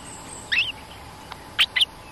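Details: Cream-vented bulbul, a territorial resident bird coming down behind a lure cage, gives three short bright chirps: a quick rising slur, then a close pair; steady faint hiss.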